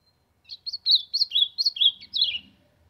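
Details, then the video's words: Warming-up song of an ultramarine grosbeak, a rapid two-second string of bright, slurred whistled notes that rise and fall, ending on a lower descending note, with faint low rustling beneath. "Azulão cantando pra esquentar"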